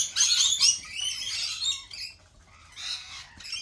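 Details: At a cafe where lorikeets are kept, a loud run of shrill, rasping squawks opens the recording, then fades to softer scratchy chatter before another burst near the end.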